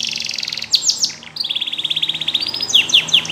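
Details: Canary with yellow plumage singing to get companions singing: a high rattling trill, a few sharp falling notes, then a steady rolled trill closing with loud repeated downward sweeps.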